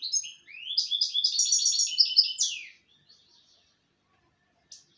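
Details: European goldfinch singing a fast, tinkling burst of twittered notes with a descending buzzy slur, lasting under three seconds, followed by near silence and one faint final chirp.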